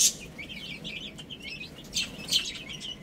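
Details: Chicks chirping while playing and eating, a dense chorus of brief shrill peeps with a couple of louder sharp chirps toward the end.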